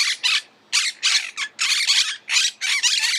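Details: Loud, raspy squawks from a monk parakeet. Harsh calls are repeated in a choppy rhythm, several per second, with brief gaps between the paired bursts.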